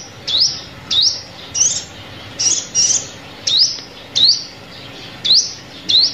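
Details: Sunbird call used as a lure for trapping birds with lime sticks: sharp, high chirps that sweep upward, about ten in six seconds at an uneven pace, over a faint steady background hiss.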